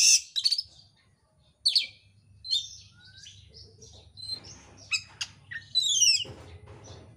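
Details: Oriental magpie-robin lure song used to provoke other birds into singing, described as dense, fast and insistent; sharp high chirps and whistled phrases in spaced bursts, with a quiet gap, then crowded buzzy, rising notes toward the end.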